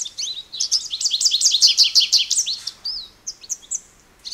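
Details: Bright, rapid American goldfinch song: a dense run of high warbled twitters that breaks into a few separate slurred whistles and chips.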